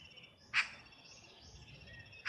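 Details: A Eurasian magpie in central Russia gives two harsh, rasping chack notes about two seconds apart, with faint high twittering from other birds behind.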